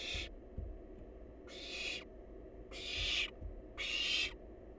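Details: Feeding on leftovers, a wild barn owl nestling utters four rough, hissing screeches, each under a second, with short irregular gaps and light thumps underneath.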